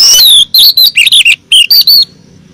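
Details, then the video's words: Oriental magpie-robin female calling to the male: a falling high whistle, then quick choppy whistled notes dipping and rising, in clear separate bursts, ending abruptly in silence. "Pancingan siulan kacer betina memanggil jantan"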